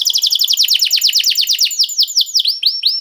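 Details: Caged-bird bait song of a canary to spur others into singing: a dense, rapid trill of descending whistled notes that slows toward the end into wider-spaced swoops.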